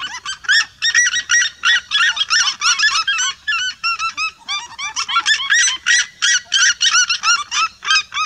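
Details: Red-legged seriema flock in full chorus, a dense, almost unbroken stream of piercing yelps from many birds overlapping, with a brief dip in intensity midway before resuming.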